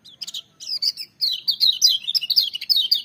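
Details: Loud, vigorous song of a lemon-bellied white-eye: short chirps, then a continuous fast stream of high, bright, slurred twittering notes that keeps going to the end.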